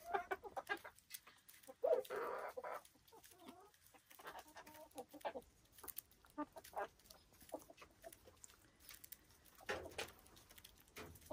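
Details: Silkie chickens on a Vermont hill homestead cluck softly in short, irregular bursts, with a louder squawk near the start and scattered clicks and rustles around them.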